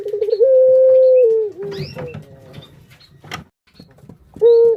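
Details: Barbary dove kept as a cage bird, calling as a lure for other doves: a trilled start runs into a long flat coo that dips at the end, followed by quiet rustling and one last short coo.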